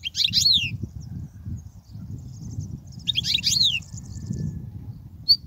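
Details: Goldfinch song phrases for tutoring young birds: two short bursts of bright chattering notes with a falling slur, separated by a gap of quiet, over soft low background noise.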